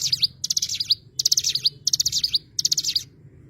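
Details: High, thin twitter of an Oriental white-eye: five rapid phrases of tinkling notes, each ending in a bright downslurred whistle, separated by short pauses.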